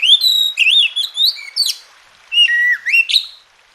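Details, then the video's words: Varied song of an Oriental magpie-robin from a masteran recording used to coax quiet birds into song: rapid slurred whistles and sharp upswept notes, a brief gap, then a dipping and rising whistle. "Masteran dan Terapi Kacer Malas Bunyi Jadi Gacor"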